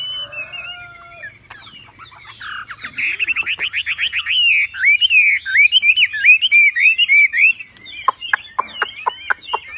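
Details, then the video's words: Javan pied starling song for bird training: quiet start, then a fast string of whistled and buzzy slurred notes, closing with a series of sharp, evenly spaced clicks. "MASTERAN BURUNG WAMBI FULL TEMBAKAN GACOR DOR"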